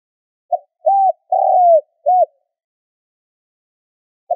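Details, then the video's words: Spotted dove used to lure wild doves, giving a clean phrase of short hollow coos: a brief note, a longer arched coo, a drawn-out falling coo and a short closing note, then one note after a pause. No other sounds. "Tiếng cu gáy kích bổi - Suara Pikat & Panggilan Tekukur"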